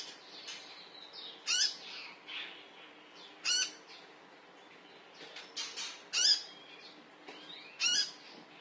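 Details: Konin call used as a lure to prompt other birds to sing: sharp, high chirps and short descending notes in separated bursts about every two seconds, with quieter twittering between them.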